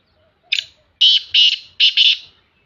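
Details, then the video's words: A black francolin, said to be female, calling in the morning gives a harsh, grating phrase: one rasping note, then four loud buzzy notes paired in quick doublets, all over in under two seconds. "black Francolin Voice Kaly Teetarcalling Partridgevoice"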